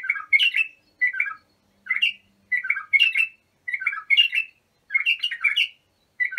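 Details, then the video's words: {'caption': 'Bulbul singing for young bulbuls to learn from: lively warbling phrases with rapid up-and-down notes, delivered in steady bursts about every second, a faint hum in the background.'} "تغريد بلابل ابو شعيب لتخريج البلابل"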